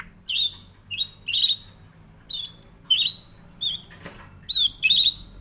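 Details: Canary gives short separate chirped phrases, each a quick wavering whistle, spaced about half a second to a second apart.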